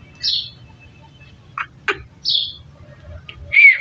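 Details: Parrot eating a tomato gives scattered short squawks and harsh chirps, spaced by quiet gaps of about half a second to a second, ending with a louder buzzy squawk.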